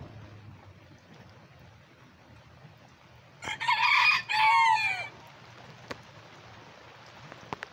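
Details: Old English Game bantam rooster, with mille fleur and silver duckwing bantams foraging for worms in rain from Tropical Storm Beta, crows once in two harsh, strained bursts lasting about a second and a half; rain and faint taps otherwise.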